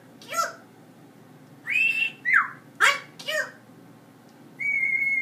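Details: Talking pet parrot kept in a house with dogs and a cat, producing a run of four short, harmonic, word-like syllables at irregular spacing, then a steady, high, pure whistled note that holds to the end.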